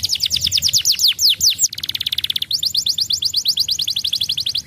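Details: A young canary delivers rapid high descending notes, a buzzy rattling section, then an evenly spaced series of repeated falling chips.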